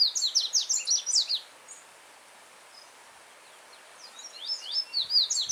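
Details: Yellow-bellied seedeater singing free in nature, firm and melodious, with well-marked notes. Two bursts of rapid, high, sharp chirped notes, each lasting over a second, are separated by a pause. A soft stream runs over stones throughout.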